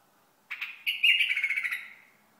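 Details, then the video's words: Hasawi bulbul from Al-Ahsa giving a brief harsh, chattering phrase of rapid buzzy notes. The phrase rises slightly and then trails off over about a second and a half, with no other sounds. "بلبل حساوي"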